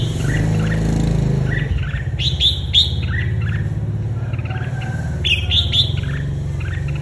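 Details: Red-whiskered bulbul singing hard and excited: two bursts of quick, bright chirping phrases, one around two to three seconds and another near five to six seconds, over steady low engine-like rumble.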